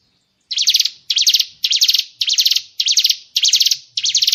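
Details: White-rumped shama (murai batu) fill-in 'tembakan' shot phrase, a training master for songbirds: seven loud harsh, buzzy chattering bursts repeated about every half second, high-pitched and dry.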